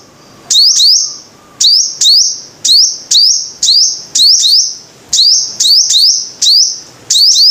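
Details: Five-coloured sunbird with repeated shrill phrases. Each is a quick upward slur sliding into a sustained high whistle, about eleven bursts with a faint low tone at the start.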